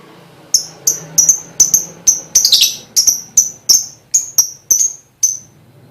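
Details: Lovebird lure call to prompt other lovebirds to sing: rhythmic run of clipped, high, piercing chirps about two per second, with one brief rough chattering flourish midway and faint low hum behind.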